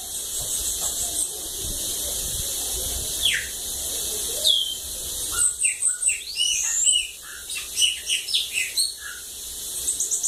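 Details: Sibite from a water lagoon, sung as a 'cachorro loco' style: a few descending slurred whistles, then a busy run of short high chips and sweeping notes over steady background hiss.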